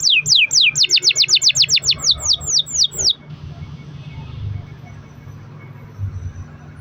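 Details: Canary in 'gacor' song, a lure to get other canaries singing: about three seconds of quick repeated falling whistles, roughly four a second, then only a faint hum and quiet background.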